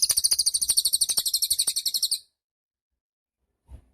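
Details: Cililin song recorded for training cage birds: a long, high, fast trill of around twenty-five evenly spaced buzzy pulses over two seconds, then silence with one soft thud.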